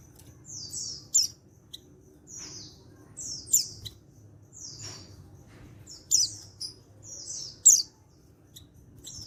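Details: Untrained male white-eye from Pacitan, recorded 14/10/22, calling to make other white-eyes join in; paired high downslurred whistles ending in sharp bright chips, repeated roughly every two to three seconds over a quiet low hum.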